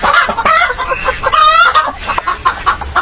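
Hens cluck busily over one another in short, nasal, mid-pitched notes, with a brief drawn-out squawk in the middle; a whole flock is heard together.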